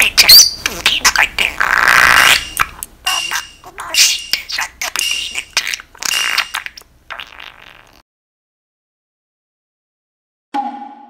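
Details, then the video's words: Pet budgerigar, hungry after its out-of-cage time and checking its cage for food, talks about four o'clock in a chant-like delivery. Raspy, scratchy chatter and squawks run for about seven seconds, then silence and a brief tone near the end. "時間がわかるインコ。詩吟のように4時を語る Budgie That Knows What Time It Is Talks About 4 O'clock"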